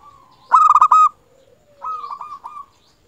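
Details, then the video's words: A local zebra dove (perkutut) gives two bursts of fast, pulsing, slightly hoarse coos, the second softer, in quiet surroundings; the recording is used as a lure to stimulate other zebra doves to call. "Perkutut lokal gacor suara ini paling di sukai perkutut"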